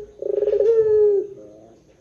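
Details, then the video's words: Barbary dove coo used as a lure to make doves call: a quick rolling stutter swelling into a smooth sustained note that slowly falls, then a soft fading tail. "SUARA PUTER PELUNG PANJANG JOSS . PANCINGAN SUARA PUTER GACOR DORRR JERNIH"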